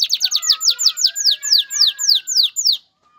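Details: Male canary song aimed at a female before mating and nest building: quick descending slurred notes that gradually slow and spread out before the song stops into silence.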